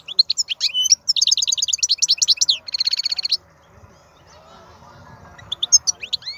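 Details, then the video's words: European goldfinch, wild male with a strong voice, singing a rapid series of twittering chirps and a rattling trill, then a quiet stretch with faint background noise before a few final high notes. "تغريد الحسون خلوي ممتاز.هذا مقنين هو الأكثر قوة بين الطيور"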